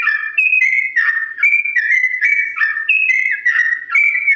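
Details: Sooty-headed bulbul in long, slow ropel song, offered as a tutor recording: pure, flute-like whistles rising and falling step by step, each note held about a third of a second, evenly spaced.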